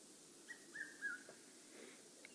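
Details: On a safari game drive on November 18, 2016, a Red-chested Cuckoo gives three clear whistled notes, each slightly lower than the last, over steady hiss from wind or a vehicle.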